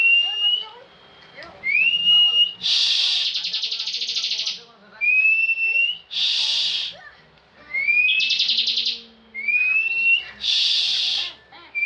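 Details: Caged bar-winged prinia, a frequent national contest winner, singing ngebren style. Thin rising whistles slide upward, then break into long, loud buzzy trills. The whistle-and-trill pattern repeats four times.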